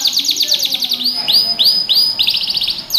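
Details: Yellow canary song meant to train young birds: quick trilled phrase changing into slurred rising-then-falling whistles, several in a row, closing with another fast trill.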